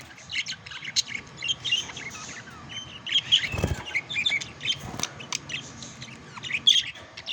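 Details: Pet budgerigars in courtship and mating chatter steadily with high twittering chirps and warbled squeaks, some notes sliding upward, while a couple of soft knocks or wing flutters break in midway.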